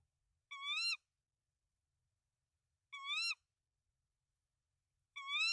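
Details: At a Danish nest with three eggs, 24 March 2024, a tawny owl gives three wavy, nasal-toned calls, each about half a second, spaced roughly two and a half seconds apart; the male brings rodents to the female; otherwise silent.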